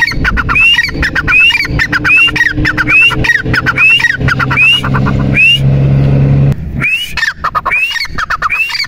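A partridge gives harsh, rising squawked notes, repeated about every two-thirds of a second, over a low rumble of traffic.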